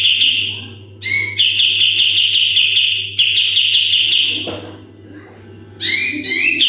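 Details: Sooty-headed bulbul in full 'tembakan' song, used as a training model for other birds: repeated bursts of fast, even, high-pitched trilling, each lasting a second or two with short gaps, ending in rising chirpy notes; constant low hum behind.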